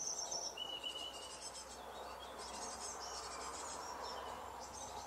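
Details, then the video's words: Two great tit chicks begging for food in June 2020. Thin high whistled notes open the sequence, followed by rapid, hissy, high-pitched chirps in irregular bursts, about four per second, over steady low background noise. "Hungry Great tit twins"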